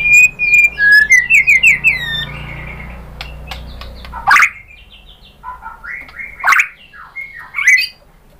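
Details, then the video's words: White-rumped shama lure song aimed at stirring other birds to sing: a run of clear whistled notes and quick trills, followed by sparse sharp calls and soft twitters over faint background noise. "PANCINGAN MURAI BATU bikin NYAUT BUNYI GACOR NGEPLONG BONGKAR ISIAN"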